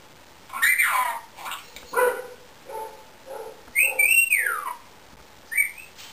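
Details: Indian ringneck parakeet making a swooping whistle, then low husky, nasal notes repeated about once a second, then a loud arched whistle that rises and slides down, and a final short whistle.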